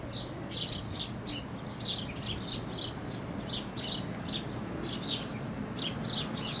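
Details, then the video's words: Sparrows chirp near the Tower in A Coruña on 13 May 2012: a busy, overlapping stream of short, bright notes, about two per second, over a steady low rumble of wind or distant traffic. "Escoitase chiar os pardais"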